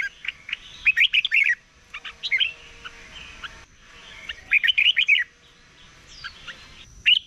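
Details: Morning competition song of a red-whiskered bulbul in training: two clear bursts of fast, bubbling whistled notes about four seconds apart, with fainter chirps between them over a steady hiss and a thin high whine.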